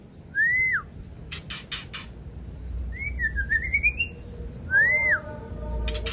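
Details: White-rumped shama, known locally as Murai Raja Rimba, singing fiercely: loud, clear whistled arcs rising then falling, a sharp burst of clicking ticks, a rolling wavering phrase climbing upward, then whistles and clicks again over a steady background hum.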